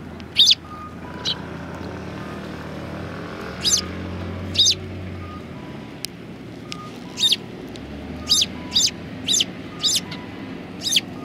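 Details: Sparrows on a bench coming to be fed, 24 March 2020: scattered short high chirps, singly and in quick bursts, spread over about eleven seconds, over low traffic rumble and a faint steady tone.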